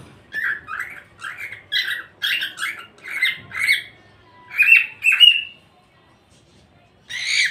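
A cockatiel talks in a run of short, scratchy, squawking syllables with brief pauses between phrases.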